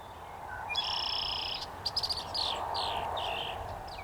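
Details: Male Red-winged Blackbird song in North America: a few soft lead-in notes, a sustained buzzy trill, then clicks and a run of quick down-slurred whistles over steady background hiss.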